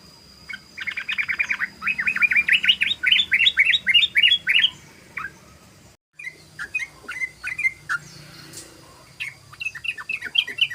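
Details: Rapid 'ropel' song of a yellow-vented bulbul (trucukan) used as a lure: a long rattling sequence of about twenty quick, bright rising-falling notes, then a short gap and looser scattered chirps, with a thin constant whine behind.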